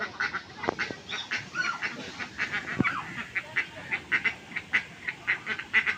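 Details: Duck quacking in a steady series of short, nasal, harsh calls, roughly two or three per second, with a few louder honking notes near the start.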